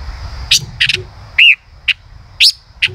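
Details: Male common rosefinch singing: short sharp chips and buzzy notes separated by brief pauses, with one clear arched whistled note near the middle and an upslurred note later on.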